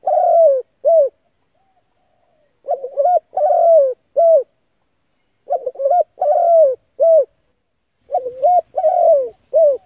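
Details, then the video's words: Cooing spotted dove used to lure and excite decoy birds when trapping. Four phrases come steadily, about every 2.7 seconds. Each is a wobbly first coo, a longer descending coo and a brief final note, clean and close. "chim cu gáy gọi hay kích bổi mở lên kích mồi gáy liền"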